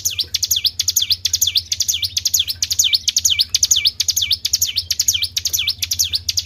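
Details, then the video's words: Tribel bird sound for luring birds, a steady series of sharp high notes that each swoop downward and rise again, coming about twice per second, with a soft low background hum. "PANCING BUNYI BURUNG TRIBEL"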